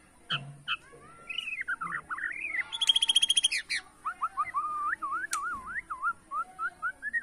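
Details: White-rumped shama from Borneo singing in bowing style to provoke rivals: varied rising and falling whistled phrases, a fast buzzy trill, then a rhythmic run of quick looping whistles.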